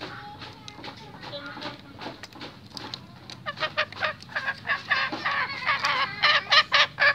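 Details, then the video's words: Restless male junglefowl, in a version for hunters: soft scattered notes at first, then a quickening run of loud, harsh clucking bursts, about three to four per second, growing louder toward the end. "SUARA AYAM HUTAN JANTAN GELISAH"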